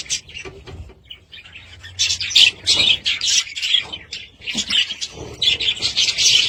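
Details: Budgerigars chirp and chatter: a few soft notes at first, then loud, buzzy, rasping phrases repeated at an uneven, rapid pace.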